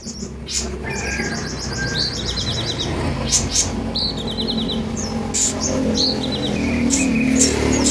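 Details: Kolibri ninja sunbird in a cage, sung to encourage freshly bought birds to become vocal: rapid high rattling trills and twittering notes repeated several times a second, with clicking sounds and a steady low hum beneath.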